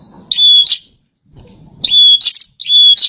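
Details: Singing bar-winged prinia giving three loud phrases, each a piercing level whistle broken by a harsh buzzy burst, the last two phrases close together, with faint low background noise.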